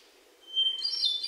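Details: Hermit thrush singing in Sudbury, Massachusetts, on June 29, 2023, recorded with a Sony PCM D50 and lavalier mics: a clear, pure whistled opening note, then a quick, higher, shimmering flutey flourish.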